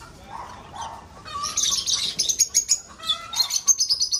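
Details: Lovebirds breeding in an aviary: a couple of lower squawks open, then rapid shrill high chirps pour out in a fast, uneven chatter of many short notes.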